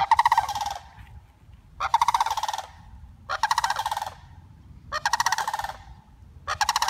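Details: Sandhill crane reunited with her flock after 114 days in care for a broken wing, giving five loud rolling rattle bursts about one and a half seconds apart, with quiet gaps between.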